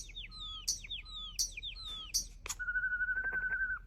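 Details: Starling imitating human-like sounds: a quick phrase of high down-slurred chirps and short whistles repeated three times, then a sharp click and a long level whistle with a rapid buzzy pulsing.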